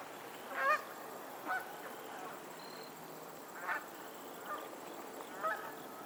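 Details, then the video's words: Geese calling on a Pennsylvania lake, giving five short honks at uneven intervals, the first the loudest, with a faint high tonal note between calls and a quiet open-air background. "the sound of geese on a lake in Pennsylvania"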